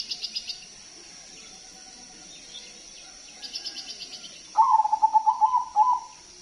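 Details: Crossbred zebra dove with a big voice, singing freely, used as a lure for other doves: one rapid, stuttering coo phrase near the end, after faint high chirping pulses from other birds earlier on.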